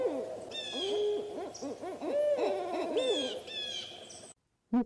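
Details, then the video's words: Owls calling in the breeding season to defend territory or win a mate: overlapping hooting and wavering, arched notes from more than one bird, repeated through the clip, ending in brief silence and a final short hoot. "CANTO DAS CORUJAS"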